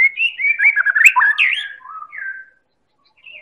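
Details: Medan white-rumped shama song used as a lure to set other birds singing: a dense, varied run of fast warbled and whistled notes with sharp rising slurs, fading out after two seconds.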